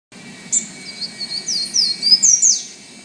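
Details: A Golden-crowned warbler (Basileuterus culicivorus) in São Paulo Botanical Garden, Brazil, in 2016, sings a quick, high, thin phrase of about eight sweet notes that rises and sharpens toward the end, over a faint low hum.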